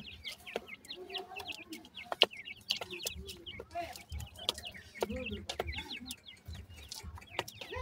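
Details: Grey francolin chicks keep up a busy chorus of brief, high, hooked peeps, mixed with short sharp clicks and a soft murmur beneath.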